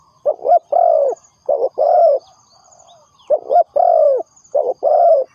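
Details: Spotted dove lure call for trapping: a stuttered double note leads into a long, smooth, slightly falling coo. The pattern comes twice, with a pause in between, over a faint high whine.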